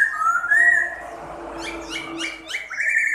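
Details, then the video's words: Chinese hwamei singing loud, clear whistles while spreading and fluttering its wings: a slurred rising phrase, then quick repeated upward notes, rich and varied. "CHIM KHƯỚU TO ĐẸP - HÓT XÒE MÚA CÁNH"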